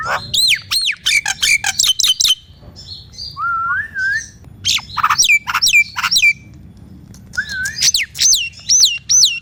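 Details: Nias hill myna singing, used to coax silent mynas into song: sharp clicks and loud squawks, a low warbled whistle, then repeated downslurred whistles, each dropping steeply, spaced under a second apart.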